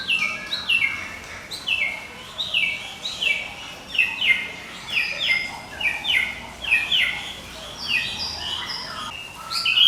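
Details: Medan white-rumped shama in nonstop ngekek song, used as a lure and master for training: a rapid run of high, sharply descending notes repeated many times over ten seconds with a quick, chattering cadence.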